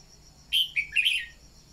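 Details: A red-whiskered bulbul lure sings a single brisk phrase to excite newly caught birds: a clear whistled note, a short dip, then a rolling warbled flourish, with a faint high trill in the background.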